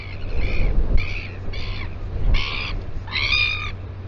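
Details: Royal albatross at the breeding colony at Taiaroa Head near Dunedin, New Zealand, on a live nest camera: five harsh, buzzy, harmonic-rich calls of about half a second each, the last one louder, over steady wind rumble.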